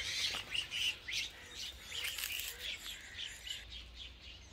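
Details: A baby myna making noises: a rapid run of harsh, raspy chirps, roughly three a second, loudest at the start and fading toward the end, over faint background hiss.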